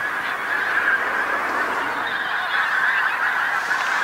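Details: A mass of Pink-footed geese down on a field beside a road on the North Norfolk coast, England, at dusk. Continuous crowded honking and yelping from many geese at once, steady and dense throughout.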